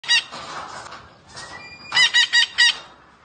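A green parrot gives a harsh, nasal squawk, then a quick run of four bright, strained syllables, like clipped mimicked speech, each about a fifth of a second apart.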